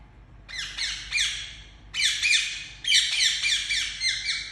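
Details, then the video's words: Pet Indian ringneck parakeet chirping very loudly: three bursts of harsh, rasping squawks with stacked overtones, each burst a quick series of repeated notes separated by brief pauses. "Very Loud Chirping Sound Of Indian Parrot"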